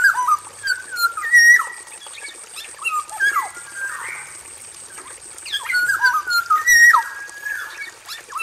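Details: Energetic male black-naped oriole singing in an aviary: mellow fluted whistles, many swooping downward, given in clustered phrases with a quieter gap in the middle, plus some scratchy notes and a constant high hiss.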